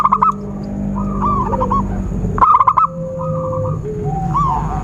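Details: Zebra dove calling in a trapping lure recording: two loud, quickly pulsed bursts open and punctuate the clip, amid softer warbled whistles, upslurred chirps from other birds and a low background hum.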